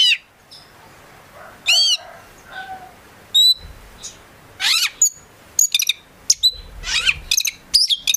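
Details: Prospect Oriental magpie-robin in gacor isian song, delivered as scattered loud bursts, sweeping whistles and sharp chips separated by quieter gaps with faint low background hum.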